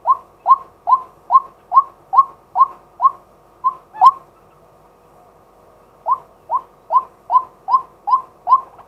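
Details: Male White-breasted waterhen calling in daytime, recorded live with a set-up camera: a steady series of short, rising, hollow notes about two per second, a brief pause near the middle, then the series resumes.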